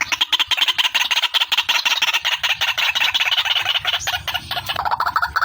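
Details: Female white-breasted waterhen lure call: a dense, continuous run of harsh, rapidly repeated notes, mostly high-pitched, with a brief shift to lower notes near the end.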